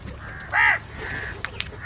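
A crow gives one harsh, nasal caw lasting about a quarter second, over a faint background hiss with a few soft clicks.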